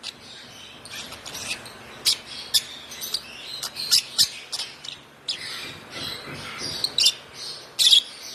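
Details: Busy, rapid chirping from a hand-fed one-month-old African lovebird chick: many short scratchy high notes in uneven clusters, a brief pause midway, then more chirps ending in a louder burst.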